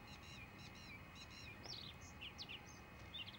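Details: Male Bluethroat singing: repeated rhythmic buzzy triple notes at the start, followed by sharp slurred whistles and high chirps scattered at intervals, over a noisy low background.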